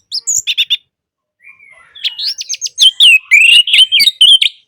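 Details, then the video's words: Orange-headed thrush song used to get a silent bird singing again: a quick series of short sharp notes, a pause, a faint thin whistle, then a rich run of loud sliding whistles and chatter. "Terapi Anis Merah Bisu | AM Macet Jadi Gacor Coba Di Putarkan Suara AM Ini"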